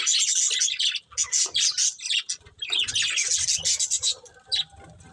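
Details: Budgerigars, a breeding pair, giving busy high chattering chirps in two long runs separated by a short pause, with soft low rustling underneath.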